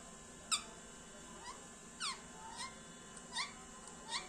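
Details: Pet Indian parrot chirping indoors: short bright notes sliding downward and small rising squeaks, about seven scattered calls in four seconds, over a steady electrical hum.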